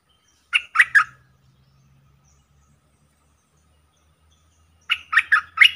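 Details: Decoy streak-eared bulbul in a cage calling wild birds down; a triple chirp, a pause over a low background hum, then a second set of four lively chirps.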